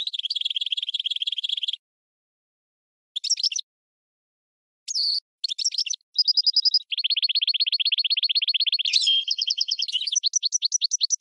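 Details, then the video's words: Goldfinch and red canary hybrid delivering tutor song for training: a rolling trill, brief scattered bursts with gaps, then a steady whistled note, fast rattling trills and quick repeated slurred notes. "GOLDFINCH x RED CANARY (Hybrid Bird) The Best Teacher for Training"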